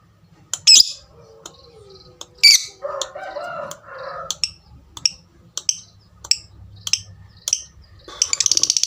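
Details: Lovebird giving sharp, high squawks and scattered short ticks at an uneven pace, a faint lower warbling sound in the middle, and a brief rapid chatter at the end.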